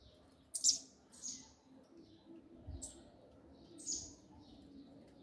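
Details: Double-collared seedeater singing the song style called the 'grego' mexida: short bright high chirped bursts spaced about a second apart, a louder note first then softer ones, over a low faint background hum.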